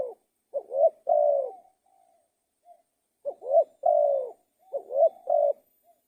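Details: Spotted dove repeating mellow three-note coo phrases, each rising then held, with soft faint trailing notes between; three phrases in a quiet background.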